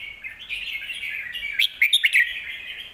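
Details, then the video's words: Red-whiskered bulbul singing a song meant for teaching young birds: a buzzy, warbling run followed by several short, bright whistled notes near the end, with faint sharp clicks among them. "นกเสียงทอง วางเพลงใต้เสียงโตๆ(ไว้สอนลูกนก)"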